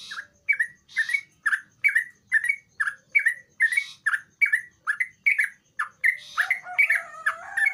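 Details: A Sooty-headed Bulbul in vigorous song, used to prompt quiet bulbuls into singing, repeats bright, chirpy upslurred notes about twice a second, then breaks into a quicker, jumbled chattering phrase.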